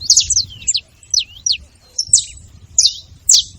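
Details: Wild saffron finches in a hedge: a quick cluster of high chirps, then separate sharp, downward-sliding notes spaced about half a second apart, over faint low rumble.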